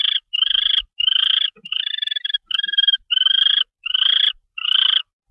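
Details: Barn owl on 25 February 2013 at 10:46 PM, when a mouse is brought in. A rapid run of hoarse, grating rasps, each about half a second long, follows closely one after another with brief pauses.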